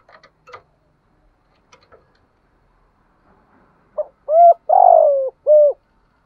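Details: Decoy spotted dove, used to provoke wild birds, opens with scattered faint clicks and chirps, then gives a four-part cooing phrase: short note, clear coo, long falling rough coo, and a final clear coo.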